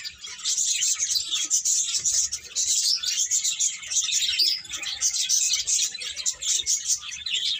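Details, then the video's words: Constant high twittering from a flock of birds, thin rapid tweets overlapping into a steady shimmering wash throughout. "Cute Birds Chirping Sounds"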